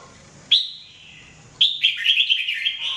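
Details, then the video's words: Red-whiskered bulbul (jambul) singing for training: two bright whistled phrases around mid-high pitch, the second a rapid warbling run of slurred notes, with quiet hum between. "Training Jambul bird singing everyday 2017"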